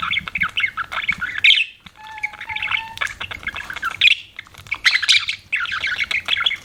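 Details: Pet budgies in scratchy, chattering warble, rapid chirps and squawky notes in runs with short gaps, and a low, level whistled tone heard briefly midway.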